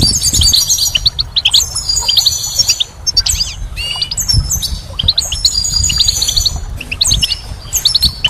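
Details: Spring goldfinch song, a lively jumble of very high, jangling trills, slurred twitters and buzzy notes, nearly unbroken apart from a short pause midway.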